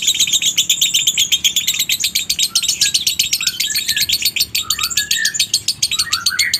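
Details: Lovebird song in the konslet style, minor with a dry tone, played to provoke other lovebirds to sing: a loud, fast, continuous trill of high, sharp chirps, about four per second, with lower squeaky notes woven in.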